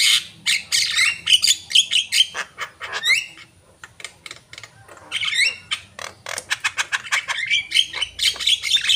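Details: Javan myna singing energetically: a rapid run of harsh, scratchy chattering notes mixed with sharp rising and falling whistles, in bursts with a short pause near the middle, about two notes per second.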